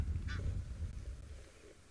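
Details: A grey heron, flushed from a waterhole's edge where it waited for fish, calls once, short and harsh, while moving off at sunset on a windy day as a cyclone approaches, over a steady low rumble.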